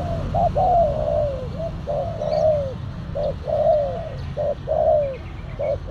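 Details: Spotted doves at Ciganjur, Indonesia, a silver black-collared lure bird and a loud-voiced wild target on a rooftop, coo: soft, low hooted phrases of short notes, each ending in a longer downward-sliding coo, back to back over a low rumble.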